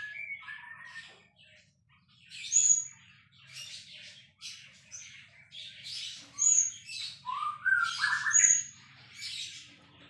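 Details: White-rumped shama, described as a champion bird in full song, delivering varied phrases: slurred whistles rising and falling, sharp high piercing notes, and bursts of harsh chattering, with short pauses between phrases and a faint low hum beneath.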